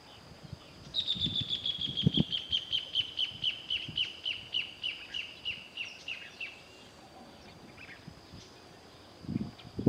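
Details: White-headed marsh tyrant: a series of about twenty short clear whistled notes, evenly spaced and slowly falling in pitch over six seconds, over low rumbling background noise.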